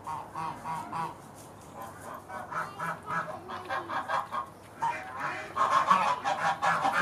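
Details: Evening at Beamish as the geese go to bed: a steady run of repeated nasal honks from several birds, swelling at the end into a loud, overlapping chorus of harsh calls.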